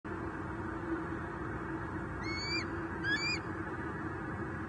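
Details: Bald eagle fledglings in Southwest Florida, roosting together at sunrise on 19 April 2023 and preening, one of them vocal. Two short, high, wavering squealing chirps about a second apart sound over a steady, rushing background noise.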